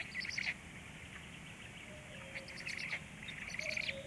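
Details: Black stork chicks being fed at the nest at 19:13: short bursts of high, squeaky, chirping calls come in three groups, with quiet gaps between them and a faint low hum underneath.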